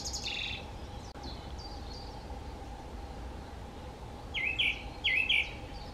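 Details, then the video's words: Song thrush at Rieux: a few faint high notes, a quiet pause, then one short twisting whistled phrase sung twice near the end, against continuous low background noise. "Grive musicienne à Rieux"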